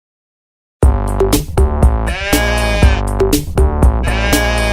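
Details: Electronic music with a drum machine beat and synthesizer tones, with no animal sound.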